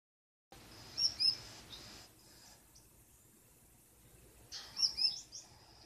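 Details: Female Gouldian finch, unseen inside the nest at night, vocalizing at her blue mate to make him wait before entering; two brief high double chirps near the start and again near the end, quiet pause between.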